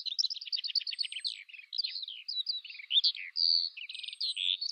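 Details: Skylark song opening with a fast rattling trill of repeated notes, then flowing into varied twittering phrases and a brief sustained whistle, high-pitched and unbroken.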